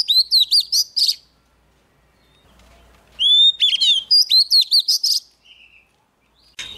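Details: Vigorous song from a young Oriental magpie-robin when a wild bird nears: two fast runs of sharp, tumbling high notes about two seconds apart, a soft brief whistle, then a final abrupt note.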